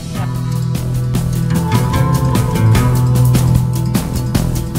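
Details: Loud rock-style music with heavy drums, bass and steady beats fills the whole stretch, with no animal voice standing out.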